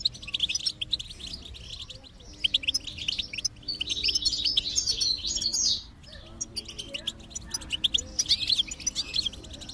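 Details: Goldfinch song used to motivate a silent goldfinch: bursts of fast, high twittering and tinkling trills separated by short quieter gaps, with soft steady background tones.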